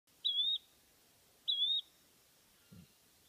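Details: A Yellow-bellied Flycatcher perched about 1 m up at a forest border in Chiapas, Mexico, on 12 December 2018, gives two short, high, slightly rising whistled calls, just over a second apart, with a soft low thump afterward.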